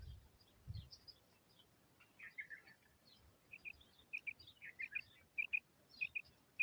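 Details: Female common quail heard over steady background hiss, with clipped paired notes starting midway and repeating regularly toward the end, amid softer scattered chirps and a low thud early on.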